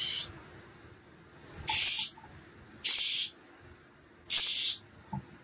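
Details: Fledgling-age mockingbird nestlings begging on 28 March 2022, day 15, nearly ready to fly: loud, breathy hissed rasps, each about half a second long, repeated roughly every second and a half, with quiet gaps between.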